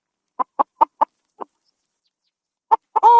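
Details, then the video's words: Chicken clucking in a henhouse on a farm: five short, sharp clucks in quick succession, a pause, then two more clucks leading into a longer, drawn-out, tonal cackle at the end; no other sounds. "SOM DE FRANGO"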